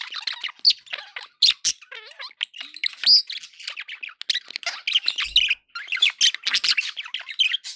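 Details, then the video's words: Budgerigars recorded to keep pet birds company: a dense, continuous warble of rapid chirps, clicks and harsh squawks from several birds overlapping, with short pauses and a few louder screechy notes. "1 hour of budgie sounds for pet parakeets to make tham happy"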